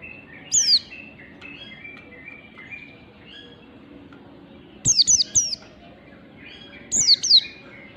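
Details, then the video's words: Oriental white-eye in 'ngalas' style in the morning, used as a lure for training birds: sharp high descending chirps, one short burst then a group of three near five seconds, another pair near seven, over faint background chatter. "pancingan pleci belajar ngalas ampuh || PLECI NGALAS DI PAGI HARI"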